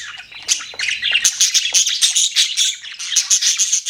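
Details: Budgerigars keep up a continuous high chattering warble, rapid squeaky chirps and scratchy notes running nearly nonstop, growing fuller after the first second.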